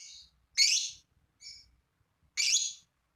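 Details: Lovebird used to coax other lovebirds to sing, uttering two loud harsh shrieks with softer short chirps around them.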